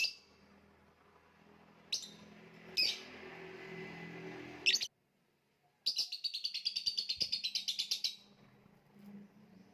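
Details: Lovebird in gantangan macet style: scattered harsh high chirps, a brief silence, then a long rapid rattling trill of high notes lasting about two seconds.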